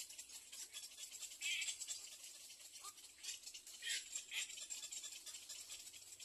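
Little egret chicks beg with dry, rattling, hissy chatter in short bursts, loudest around the middle of the clip, over a steady high hiss.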